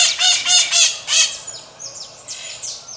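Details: Pionus parrot (maritaca) in Brazil, described as strident and heard from afar, gives four or five harsh, grating screeches in quick succession, then fainter thin squeaks and downslurred notes.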